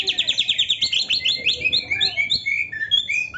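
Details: Oriental magpie-robin (kacer) in 'gacor full isian' song used to train caged songbirds: a rapid rattling trill of high repeated notes, followed by slower, sweeter descending whistles.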